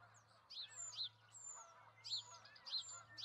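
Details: Ospreys, a pair tending two eggs at a nest in Charlo, Montana on 08/05/2019, give shrill rising-falling chirps in short bursts, with a thin, very high drawn-out whistle between them and a low hum throughout.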